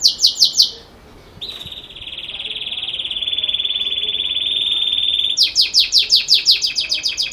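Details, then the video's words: Belgian canary in 'campainha' bell-style song: a short burst of falling notes, a pause, then a long steady high buzzing roll lasting about four seconds, ending in fast repeated sweeping chirps. "Canário Belga Canto Campainha"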